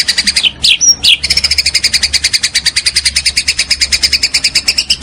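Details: Master recording of white-rumped shama 'pastol' song, made for training caged birds: a few sharp sweeping whistles, then a long, fast, buzzy series of evenly repeated high notes, about eight per second, over a faint low hum.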